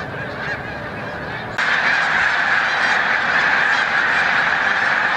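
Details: Snow geese taking flight during migration at Montezuma, New York, 7 March 2022; the flock's honking chorus jumps abruptly louder partway through and continues as an intense, dense clamour.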